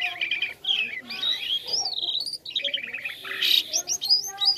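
White-shouldered Starling singing a fast, unbroken stream of squeaky whistles, slurred rising and falling notes and chatters, with an oddly toy-like, mechanical quality.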